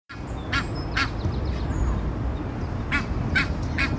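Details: Mother Egyptian goose with eight goslings sounds an alert as a leashed dog passes, giving five harsh, hoarse honks (a pair, a pause, then three in quick succession) over a steady low rumble of wind or traffic.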